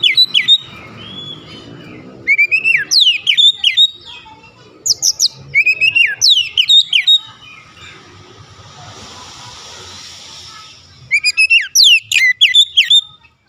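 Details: White-rumped shama song played as a lure to stir other shamas into song: four separate bursts of fast, sharply sweeping whistled notes, each a few seconds long, separated by quieter stretches with faint background hiss.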